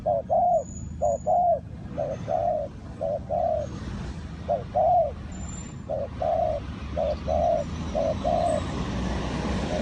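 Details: Spotted dove used as a decoy for luring and trapping wild doves. It gives low, mellow coos in short-long pairs, about one phrase per second, over a steady low rumble of background noise.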